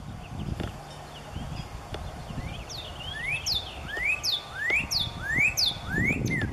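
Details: Northern cardinal singing in the setting sun, April 20, 2020: a run of loud, clear rising whistles, delivered about one and a half per second, building in strength toward the end, with soft low rumble underneath.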